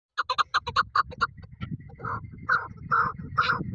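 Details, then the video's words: Female chukar partridge, a hill bird kept for hunting, calling: a quick run of short clucking chuk notes, then several longer, broader harsh calls with low rumbling noise underneath. "Desi Pahari Shikari Chakor Awaz Madi Chakor ka awaz"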